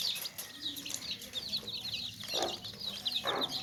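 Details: Baby chicks in a basket peep rapidly in high, thin notes, while two deeper clucks from a hen break in toward the end.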